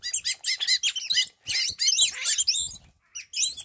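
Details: Morning garden chorus from a flock of wattled starlings in Namibia. High, scratchy, squeaking notes and wheezy whistles tumble rapidly over one another, with brief pauses between bursts.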